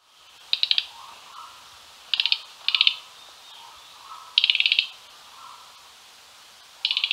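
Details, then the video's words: Mugimaki flycatcher gives short dry chattering bursts of rapid ticks, high-pitched and repeated every second or two, over soft insect hum and faint distant birds. "Mugimaki Flycatcher chattering call"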